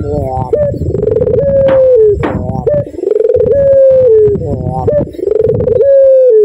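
A spotted dove gives loud, rolling coos. A stuttered lead-in swells into a long, mellow note that slides down at the end, repeated about every two seconds.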